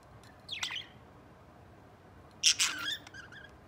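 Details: Three budgerigars playing and showing affection together; two quick bursts of sharp, scratchy chirping, the second louder with several rapid notes followed by fainter twittering, against a quiet background.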